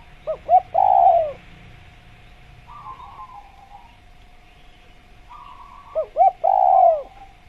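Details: Spotted dove (tekukur), natural jungle recording meant to get caged doves calling: two phrases, each opening with two or three short notes and ending in a long descending coo, with buzzy softer notes in between and a constant background hum.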